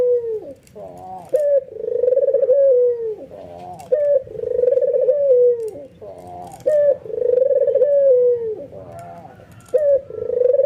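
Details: Albino white ringneck dove calling with excited nodding, prompting other doves to coo too: four long rolling coos, each led by a quick rising note and ending in a downward slide, spaced roughly two and a half seconds apart.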